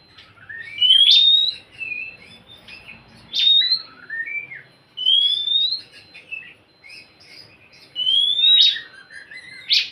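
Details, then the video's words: Song of an Oriental magpie-robin, used to coax a silent bird into singing: loud rising whistles alternating with lower warbled notes, phrases repeating about every two to three seconds, faint low hum beneath. "Siulan KACER untuk kacermu yang malas bunyi"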